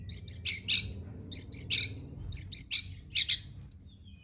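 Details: Brown-chested jungle flycatcher at night, song played to stimulate singing: bursts of high, chattering twittered notes in clusters repeated roughly every second, ending in a thin sustained whistle.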